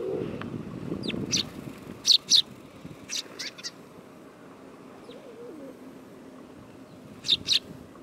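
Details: Eurasian tree sparrow on an autumn day, 18 September 2013, giving scattered bright, clipped chirps, some paired, spread across the recording with quiet gaps and faint low background rumble.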